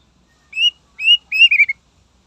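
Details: Greater green leafbird singing to provoke rivals gives three clear, rising whistled notes. The last one breaks into a quick warbled flourish that drops slightly at the end.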